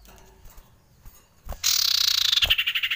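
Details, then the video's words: Frightened common iora giving a harsh, buzzy rattling chatter of rapid pulses that slowly falls in pitch and fades, following a couple of taps. "SUARA PIKAT CIPOH KETAKUTAN"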